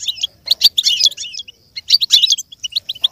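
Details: A goldfinch delivers a model song for imitation. Two dense bursts of scratchy, tinkling twitter are separated by a short pause, and the passage ends in a row of quick clipped chirps.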